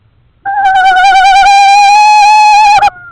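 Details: Owl at a nest with four eggs, filmed by a nest camera in Estonia at 10:14 pm on 27 March 2013; one loud, steady, tonal wailing note with a slight waver, held about two and a half seconds, then silence.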